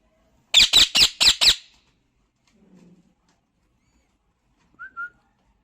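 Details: A talking pet parrot indoors lets out five harsh, loud squawks in quick succession, then falls mostly quiet apart from a faint murmur and a short high chirp near the end.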